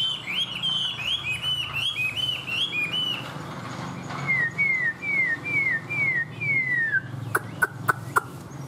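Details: Chinese hwamei kept as a tame captive bird, singing a run of bouncing whistled notes, then a string of clear descending whistles, ending with several sharp metallic clicks.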